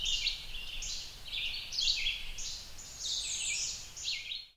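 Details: An adult male Blackburnian warbler foraging for insects in a fir tree in New Jersey, USA, gives very high, thin, sibilant notes in a busy, uneven series over a faint low rumble.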